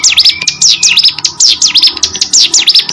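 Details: Ciblek gunung (hill prinia) singing actively, repeating shrill, swooping two-part notes in quick succession, with a faint slurred whistle near the start.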